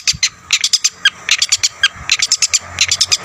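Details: Long-tailed shrike in lively full-repertoire song meant to rile up other shrikes: quick, scratchy chattering notes and sharp chips in uneven bursts over a low steady hum.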